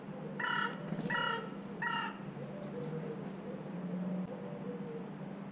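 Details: Crows arriving at a feeder, giving three harsh, evenly spaced caws in quick succession, followed by fainter lower calls against steady background rumble and hiss.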